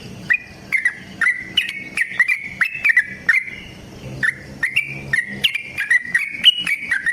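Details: Yellow-vented bulbul delivering a long fighting song meant to trigger singing in other bulbuls; lively chain of short whistled notes, steady rhythm, a brief gap near the middle, then notes climbing a little higher.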